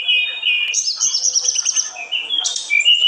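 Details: Tledekan gunung (olive-backed tailorbird), described as singing very actively and provoking other tledekan birds; a loud, high whistled strain shifts into rapid chattering notes and sharp bright phrases across three seconds.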